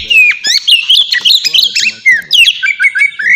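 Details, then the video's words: Oriental magpie-robin singing in the ngeplong style, used as a lure to get young birds singing. Loud, varied whistled phrases with rapid chirps and sharp upward and downward slurs, packed tightly with brief pauses. "suara burung kacer ngeplong merdu sangat ampuh buat pancingan kacer bahan bikin cepat gacor"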